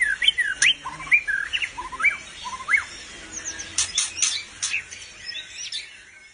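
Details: White-rumped shama (murai batu), a bird with unusual albino or pied plumage, singing: short whistled notes that rise and fall in quick pairs, then high sharp chips and thin whistles, with background hiss.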